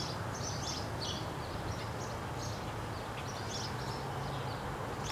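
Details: A sparrow in front of a condo gives short, high chirps in quick bursts, several each second, over a steady low rumble of traffic.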